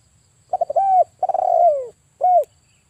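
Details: Spotted dove, a vocal male used as a trapping lure, 'kuk 1' type: quick triple stutter into a smooth arched coo, a trilled start to a long falling coo, then a single rounded closing note.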